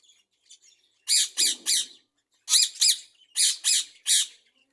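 Budgerigars give harsh, scratchy squawks in quick bursts of three during a squabble.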